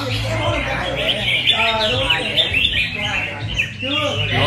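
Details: Red-whiskered bulbuls in the final of a singing competition, giving dense, bright chirping and warbled phrases that overlap almost continuously, with a low electrical hum and people's voices in the background.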